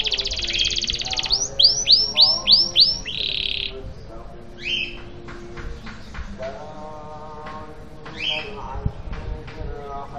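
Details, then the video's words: A canary sings bright, high rolling trills, a fast run of about five sweeping notes a second, then scattered chirps over a low droning hum; the song is used as a lure to get silent or stalled canaries singing again. "Pancingan Kenari Macet Bunyi dan BISU bisa langsung Gacor dan Ngeroll Lagi"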